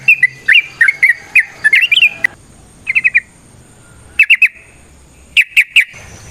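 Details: Straw-headed bulbul, a kept songbird, singing a fast burst of gurgling whistled notes, then short clipped triplets separated by pauses over a quiet background.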